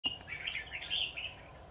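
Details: Red-whiskered bulbul used as a decoy to lure birds for trapping, recorded 21 October 2019: a quick run of bright, warbled, whistled notes rising and falling, with a steady high insect whine behind.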